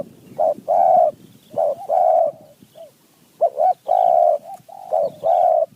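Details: Spotted dove in the wild responding to a decoy, a good-voiced bird: deep, mellow coos delivered in repeated phrases of two or three notes with short pauses, a soft rustle underneath.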